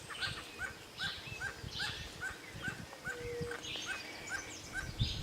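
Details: Barbet calling in the forest: short hooked notes repeated roughly twice a second in a steady series, over rustling, low rumbling noise and a brief whistle from another bird.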